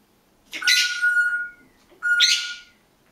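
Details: African grey parrot in a garden, yelling an alarm after seeing someone walk past the end of the garden: two harsh, raspy screeches about a second long, each with a steady whistled tone running beneath, separated by a short pause.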